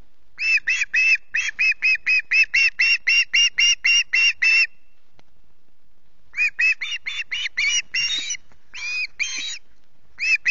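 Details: A hungry osprey chick screeches at dawn on 14 August at Loch Garten: a rapid string of about fifteen harsh notes, nearly two seconds of silence, then another ragged burst.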